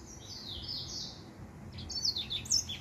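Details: Finch with white tips singing: a drawn-out high buzzy phrase, then sharp chirping notes sliding down near the end, over faint low background hum.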